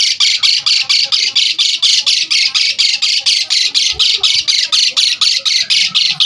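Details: Asian pied starling in energetic full song, used as a lure and tutor recording for starlings: a steady run of harsh, raspy, high squawks repeated about twice a second in an even rhythm, with no other sounds.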